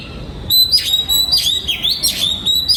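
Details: Oriental magpie-robin kept in a breeding aviary in Vietnam, 2022: loud clear whistled notes held steady, broken by short warbled slurs and sharp upward flicks in quick succession.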